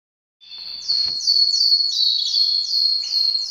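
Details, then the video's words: Caged canaries in breeding condition; loud, high song of fast repeated trills, each note a quick downward sweep, rolling steadily in short bursts after a brief silence at the start. "طيور الكناري كلها جاهزة للتناسل"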